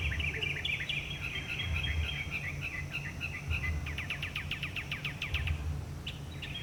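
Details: Varied singing from a northern mockingbird, one of many different songs. Warbled, slurred phrases give way to a fast string of sharp repeated notes, with a constant low hum underneath.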